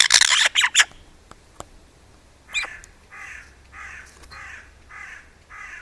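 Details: Eurasian magpie near its food, unsettled by a camera placed close by, opens with a loud burst of harsh rasping barks, then a quieter run of five evenly spaced nasal notes about every half second.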